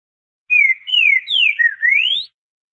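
A Green-winged saltator sings a short southern-style phrase of four or five rich, clear whistles. The notes slide down, and a final note rises. No other sounds are heard.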